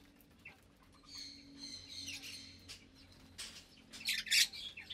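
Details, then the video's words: Lovebird aviary at meal time, about 25 birds of several colour mutations, some with chicks; steady high-pitched chattering with tonal chirps, ending in a loud, harsh burst of shrill squawks. "Lovebird Meal Time"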